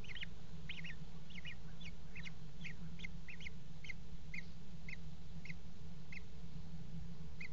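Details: Common kestrel at a water-tower nest box during mating, 5 February 2018: quick clustered notes at first, then single, sharp, slightly wavering calls spaced about every half second, with low hum throughout.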